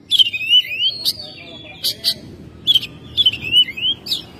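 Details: A home-kept Oriental magpie-robin in full song, recorded in May, gives clear, sweet whistled phrases that slur up and down, broken by sharp high chips, in two bursts over a soft hiss.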